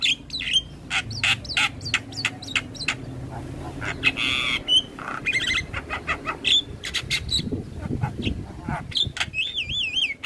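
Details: Javan myna song used as a master recording to train mynas: rapid, harsh squawks and rasps, short whistled slurs, a drawn-out grating note, and wavy, quavering whistles near the end, over a low background rumble.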